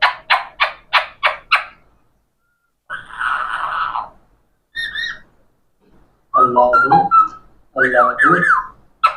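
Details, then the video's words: Parrot that talks, uttering six rapid clipped syllables, then a hoarse drawn-out sound, a brief squeak and longer garbled, voice-like phrases with wavering whistled tones. "Parrots so Amazing talking"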